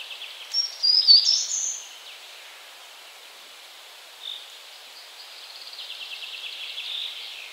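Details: Short-toed treecreeper song recorded at 52.038742, 20.203286 (Poland): one brief phrase of thin, very high notes near the start, then silence; a faint buzzy trill later over steady background hiss.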